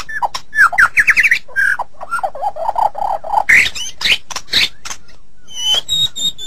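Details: White-rumped shama recorded for training songbirds: rapid rising chips, a low warbling trill, harsh scratchy bursts, then a short pause and high, thin, drawn-out whistles.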